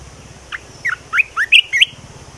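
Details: A red-whiskered bulbul gives a fast, cheerful phrase of six slurred whistled notes. The notes step upward through the phrase and end on a bright high whistle, with faint hum behind.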